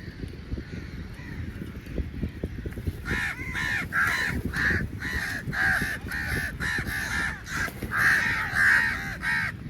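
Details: A large number of crows fighting over meat while being fed: from about three seconds a dense run of harsh, rapid caws, many birds overlapping, over a steady low background rumble.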